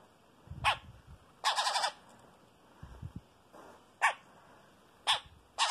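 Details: Harsh, raspy bursts from a Chopi blackbird chick, repeated irregularly as it begs while being fed by an adult.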